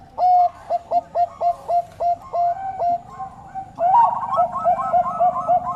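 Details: Bangkok zebra dove delivering loud, crisp cooing notes at a steady beat, roughly two per second, then a denser overlapping stretch where a second bird's coos join in.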